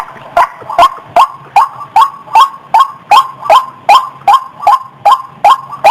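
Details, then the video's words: Lure call of the white-breasted waterhen, known locally as ruak-ruak, played to bring birds out of scrub: loud, clipped notes rising in pitch, repeated steadily about two and a half times per second over a faint low drone. "SUARA PIKATAN RUAK RUAK"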